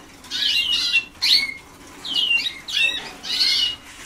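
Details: Young Waterslager canaries a few days into song training in 2010, still far from a finished song: five bursts of chirpy, downward-sweeping high notes separated by short quiet gaps, recorded in a small room.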